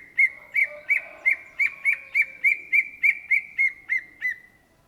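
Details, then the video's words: Greater green leafbird, locally called cucak ijo, in full song: thirteen bright, ringing whistled notes repeated steadily about three times a second, each slightly hooked, over faint low murmuring. "SUARA BURUNG CUCAK IJO GACOR , TELER"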